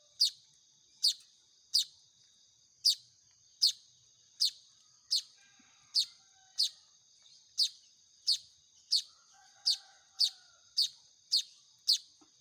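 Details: Baya weaver chicks being hand-fed beg with a long regular run of about eighteen sharp, high, falling chirps, each under a second apart, over a faint continuous high-pitched hum.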